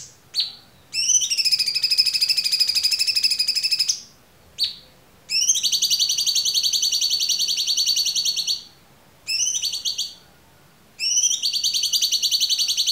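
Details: Cucak cungkok giving long, bright, rapid buzzy trills lasting up to three seconds, separated by brief pauses and short introductory notes, loud and clear against near silence.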